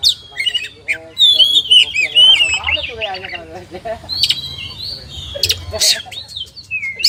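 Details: Oriental magpie-robin, known locally as kacer, singing a varied song of clear whistled phrases, sweeping and warbled notes mixed with short sharp chips, high and fast with little pause throughout.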